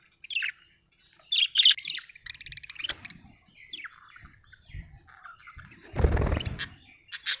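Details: Budgies chirping happily in a busy stream of twittering, raspy warbles and quick chirps, with a loud low rustling burst near the end.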